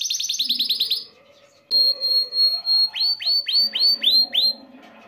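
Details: Caged male canary in an excited state, urging a female to mate: a rapid high trill, a short break, a steady pure whistled tone, then about seven loud downslurred notes repeated in quick succession.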